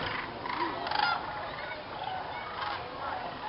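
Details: Dusk gathering of thousands of sandhill cranes in a viewing field at Jasper-Pulaski State Fish and Game Preserve, Indiana, before they fly to roost in the swamp; a dense, rolling trumpeting chorus, loudest in the first second.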